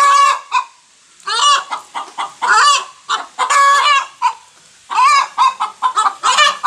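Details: A hen calling after laying an egg gives loud, harsh cackling. Bursts of short clucks build into drawn-out nasal squawks, with phrases coming about once a second and separated by brief silences.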